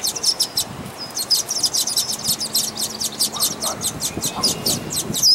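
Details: Red-winged Blackbird nestlings in a nest at Dufferin Islands give a steady stream of thin, high, rapid peeping begging calls, several notes each second, with a few lower chirps in the background.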